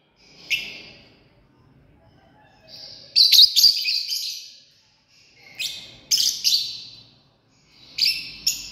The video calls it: Love Birds 🔴 Sounds